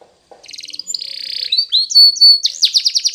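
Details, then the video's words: Spanish Timbrado canary in training song: a soft buzzy trill building into a long metallic rolling phrase, short rising notes, then loud sharp repeated descending chips. "Timbrado Canary's Most Powerful Song For Training"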